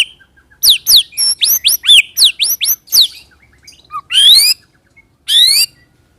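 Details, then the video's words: White-rumped shama, lure recording of rolling song (ngerol) to prompt other shamas; a rapid run of rising whistled notes, then a pause and two loud, harsh buzzy phrases. "pancing murai dengan roll tembak ini murai batu manapun akan respon bunyi ngerol"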